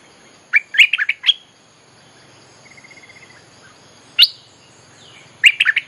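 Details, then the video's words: Song of a bulbul used as a lure for wild birds: bursts of bubbly warbled notes at start and end. A single sharp note comes in between, with a faint, even, rapid trill in the background. "เพลงหัดลูกเสอ ใช้เรียกนกป่า Suara pikat merbah lekir gacor"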